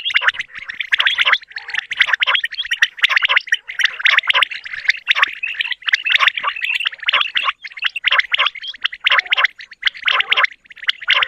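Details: Morning calls of quails, used for hunting: dense, scratchy, gargling notes chattering without pause in a busy mid-high chorus, about one burst a second, as if several birds call together.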